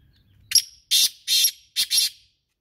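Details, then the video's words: Loud, scratchy call of a black francolin, known locally as kala teetar: one clipped note, then a run of four broad, grating syllables ending in a quick double, delivered over roughly 1.8 seconds against a quiet background. "Kala Teetar Ki Awaz | Kala Teetar Voice | Kala Teetar Sound"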